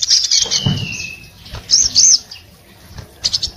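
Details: Orange-headed thrush in breeding condition, singing with open beak to rouse other orange-headed thrushes: a high sliding whistle falling and fading, then brief scratchy chirps and sharp high notes between quiet gaps.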